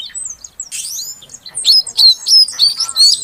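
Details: Female oriental magpie-robin calling to trigger song from a silent male; after a soft scratchy start come five loud, evenly spaced sweet whistled notes, each about a quarter second apart.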